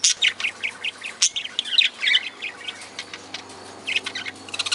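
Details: Aviary budgerigars among other parakeets and lovebirds give scattered sharp chirps and short squawks, quieter and sparser than a full chorus, over a steady low electrical hum.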